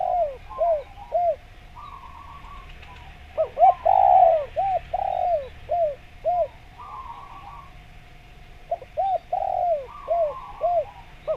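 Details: Spotted dove calling energetically, recorded for use as a lure to attract wild doves. Repeated short arched coos come in groups, with one longer swelling coo. A softer trilled note sounds higher behind them, and a constant faint hum runs throughout.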